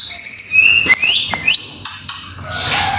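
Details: White-rumped shama from Indonesia giving loud, clear whistled slurs, high notes dropping and rising in smooth glides, with short pauses between phrases.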